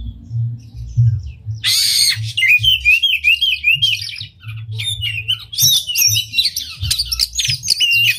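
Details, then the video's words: Oriental magpie-robin in vigorous song, tail open, played to provoke other magpie-robins: a harsh rasping note leads into rapid jumbled whistles, chatters and squeaky trills, loud and nearly continuous over a low hum. "Pancingan Kacer Gacor Buka Ekor Lagu Unik! Bagus Buat Menaikan Emosi Kacer Lain Agar Gacor"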